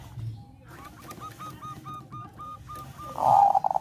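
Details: Bangkok-type zebra dove song meant to stir breeding desire: a row of evenly spaced short whistled notes, soft at first, ending in a louder noisy burst.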